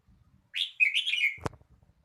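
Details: Red-whiskered bulbul song phrase: a rising opening note, then a liquid warble of connected slurred notes that drifts slightly downward over nearly a second, followed by a sharp click and faint low rumbling noise.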